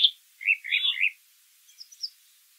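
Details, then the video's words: Brown thrasher (Toxostoma rufum) singing in nature: a short burst of varied phrases, a high note, then a mid-pitched rolling cluster, followed by faint, high chips. "Birds Singing - Brown Thrasher"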